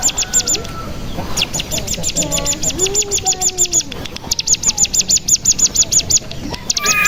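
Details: Mountain tailorbird used as a lure to spur other birds into singing: a rapid series of high, sharply repeated chirps in fast bursts, broken by short pauses and lower twittering notes.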